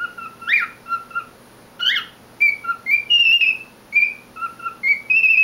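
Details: Captive male cockatiel singing alone, whistling short paired notes, brief upward slurs, and longer held tones in a lively repeating pattern with short gaps between phrases.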